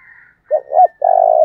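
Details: A decoy spotted dove calls to provoke wild birds. Two short rounded coos lead into a long, low, buzzy coo that is cut off abruptly, with a faint high whistle in the background.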